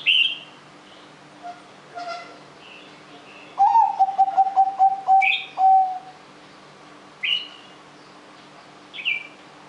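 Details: Rolling anggungan song of a zebra dove, meant to draw other birds into song: a sharp opening note and a quick stuttering series of low coos lasting about two seconds. Scattered high whistles and chirps from other birds come before and after.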